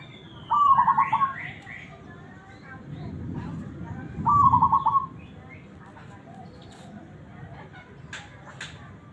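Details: Local zebra dove with a big, round, mellow voice, suitable for tutoring other birds: two short low rapid trilled coos roughly four seconds apart, with a low rumble and faint voices between them.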